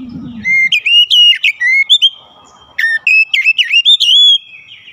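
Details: White-rumped shama singing a lure song: loud, clear whistled phrases sliding and jumping between high notes, given in two bursts with a short pause, plus a brief low rumble at the start.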